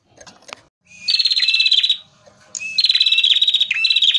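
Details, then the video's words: Male prinia (prenjak merah), recorded for use as a lure, delivers two long, fast, rattling high trills of about a second each, briefly separated, with a few soft clicks before the first. "pancingan prenjak merah gacor jantan full materi"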